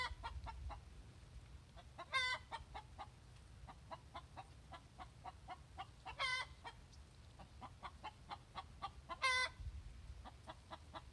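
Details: After laying an egg, a hen cackles her egg song, rapid clucking notes broken by three long, loud, harmonic squawks spaced several seconds apart over a low rumble.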